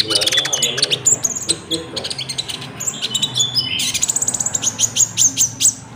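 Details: Konin singing in a lure track for trapping and for training caged birds, with cricket sounds: busy high chatter of clipped notes and thin whistles, ending in a fast, even series of bright ticking chirps.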